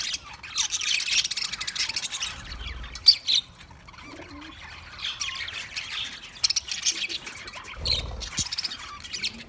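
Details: Softer budgie chatter with scattered squeaky chirps and short warbled phrases, broken by quieter gaps and a few sharp clicks.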